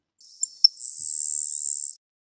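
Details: Florida Grasshopper Sparrow buzz song, heard on point-count surveys at the DeLuca Preserve, Florida: three faint, very high ticks, then a thin, insect-like buzz held for about a second, resembling a grasshopper. No other sounds.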